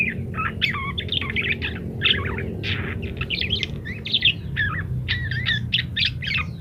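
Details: Parakeet singing actively with many variations, recorded so munias learn to chatter fast; a steady, busy warble of squeaky chirps, buzzy notes and quick twitters throughout, over a low hum.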